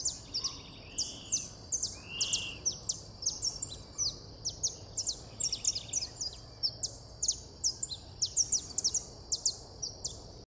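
A saffron finch sings a long, rapid run of high, sharp chips and short buzzy notes, with a few slurred whistles, over faint background hiss.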